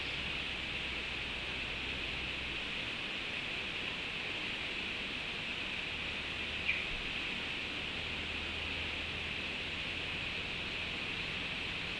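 Steady broadband hiss like insects or distant rain fills the air, with a faint low hum and one brief tick; no clear animal call.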